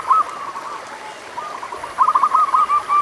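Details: Local zebra dove song for coaxing slow singers: faint soft coos early on, then a clearer run of quick bubbling notes over the last second, against a hissy background.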